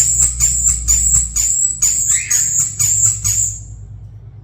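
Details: Two hand-raised European starlings, about one year old in June 2025, indoors, imitating sound effects: a very high, thin whistle repeated about twice a second, one note sliding upward, fading out after three and a half seconds over a low hum.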